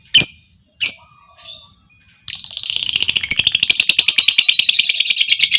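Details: Lovebirds answering a calling female: two shrill squawks, then a fast, steady, buzzy trill of rapid repeated notes that runs unbroken for over three seconds.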